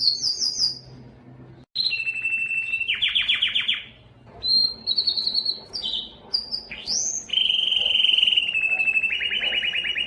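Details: A yellow Belgian canary (Serinus canaria domestica) sings a varied song of rapid trills, buzzy rolls and clear whistled notes, shifting between high and mid pitches with brief pauses.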